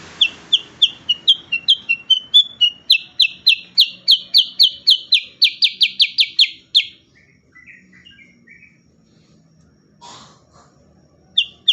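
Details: Lure and training song of cucak kurincang, a bulbul: accelerating series of loud sharp high chips, then scattered soft twitters and a pause, with one brief chip at the end.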